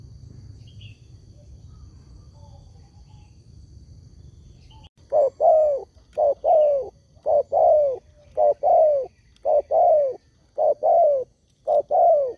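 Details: Spotted dove call used as a lure that other doves answer: after five seconds of quiet, a run of short, mid-pitched coos that dip slightly, repeated roughly once a second in a steady rhythm.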